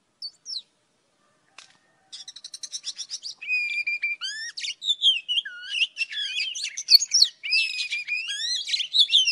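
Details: Old wild Oriental magpie-robin singing at morning, a lure recording for trapping: a couple of isolated notes, a rapid rattling series of short pips, then sustained loud varied whistling with swooping, rising and falling phrases.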